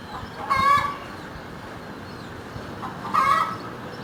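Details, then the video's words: Domestic hen clucking: two short harmonic bursts, each about a third of a second, spaced roughly two and a half seconds apart over a steady background hum. "Som da galinha cacarejando"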